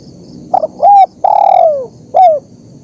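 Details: Spotted dove calling in a lure recording meant to train birds or draw wild doves: a quick double note, a clear level coo, a longer slurred coo dropping in pitch, then a short falling final note.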